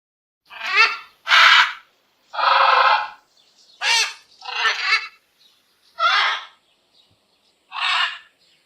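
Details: Parrot giving a series of seven harsh, raspy squawks, each under a second long and broad in tone, separated by short silences.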